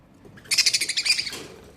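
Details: Budgies in summer giving a brief burst of quick, high chirping notes, about a dozen rapid pulses in just under a second, then falling quiet.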